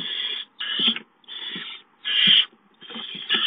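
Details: Barn owl chicks hiss at the arrival of food, giving four rasping breathy bursts separated by short silent gaps.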